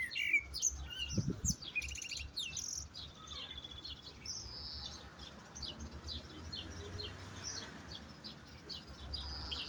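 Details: Singing European goldfinch delivering a rapid, uneven run of thin chirps and buzzy high twitters, denser in the first seconds, against a steady low hum.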